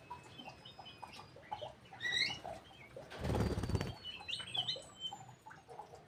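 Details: Birds in an aviary squabbling over food at feeding time: scattered sharp high chirps and thin whistles, with a loud burst of wing flapping in the middle.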